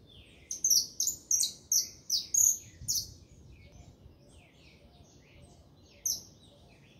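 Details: Saffron finch singing: a burst of bright, high chirped notes repeated about every third of a second for two seconds, then a pause and a fainter soft twitter, with another sharp chirp near the end; faint low background hum.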